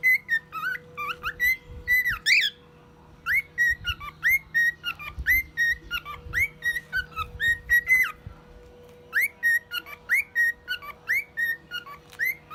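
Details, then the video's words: Male pet cockatiel aged one year, singing songs and imitating a car alarm: a long, busy run of clear whistled notes, many with upward flicks, in phrases broken by short gaps, over a low steady hum. "Calopsita imitando alarme de carro e outros sons"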